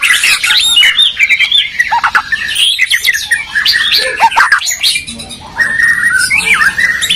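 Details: Song duel between white-rumped shama birds from Medan and Borneo, known as territorial: harsh squawky notes mixed with whistled phrases and trills, busy overlapping singing with a brief quieter pause near the end.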